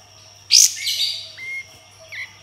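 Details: Sooty-headed bulbul mixing harsh rough notes with whistles: one loud scratchy burst, then two short level whistled tones and a final brief chirp.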